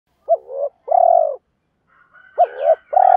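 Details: Spotted dove used as a decoy, calling to lure wild birds and challenging rivals: two rounds of low, mellow coos, each a short rising note followed by a longer, rolling purr. A faint higher twitter is heard between them.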